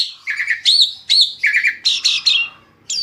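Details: Asian pied starling song, said to coax other birds into singing: loud, clear phrases of hooked whistles and harsh chattering notes, about seven bursts in three seconds with short pauses between.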